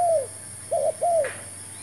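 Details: Spotted dove coos heard while luring wild birds with a new decoy bird; one long falling coo, then two short notes and another drawn-out falling croo, with a faint higher rustle at the end.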